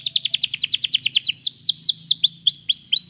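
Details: Canary singing, used to train another canary to sing: a quick tour of sharp, falling high notes repeated several times a second, then slower, longer downslurred whistles spaced further apart, over a faint low hum.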